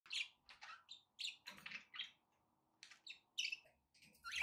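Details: Pet budgerigars chattering, with quick chirps and scratchy warbles in short bursts, repeated through the clip. A faint low background hum sits underneath.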